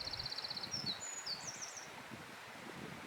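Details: Eurasian wren in the wild giving a brief burst of song: a fast even trill of about eight high notes, then a few thin slurred whistles, fading into rustling background.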